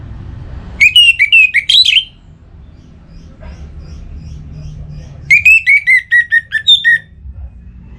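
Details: Orange-headed thrush calling a rival while in breeding condition, Singaraja, Bali: two phrases of clear whistled notes, each a series of about six quick slurred whistles stepping down in pitch, separated by three seconds of hum.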